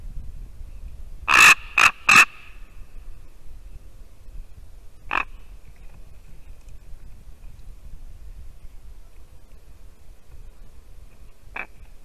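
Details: At a white-tailed eagle nest in Latvia, early December morning, visiting ravens give three loud harsh calls in quick succession, then two single distant calls after long silence.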